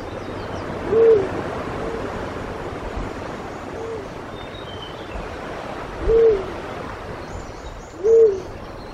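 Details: In Pingtung County, Taiwan, on March 1, 2016, a Black-chinned Fruit Dove, a rare resident or vagrant of broadleaf forest, gives low, soft single hoots spaced a few seconds apart, over quiet hiss with faint high notes of other birds.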